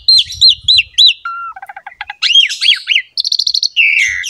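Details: Captive Asian pied starling singing in a master recording for training silent birds: looping whistled slurs repeated, a flat low whistle, quick chattering notes, then harsh buzzy and trilled phrases.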